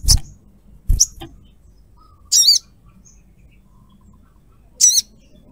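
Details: Little spiderhunter female calling for a male; two sharp high chips, then two wavering, trilled high calls about two and a half seconds apart, with faint low background noise.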